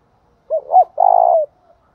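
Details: One phrase of spotted dove thúc bổi calling, used as a lure to stimulate another dove: two short arched notes, then an extended purring coo that tapers downward, with quiet surroundings.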